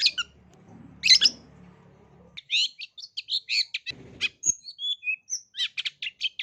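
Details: Long-tailed shrike lure song to provoke young birds into singing: a few harsh notes over a low hum, then a lively string of varied squeaky chips and short thin whistles repeated several times a second.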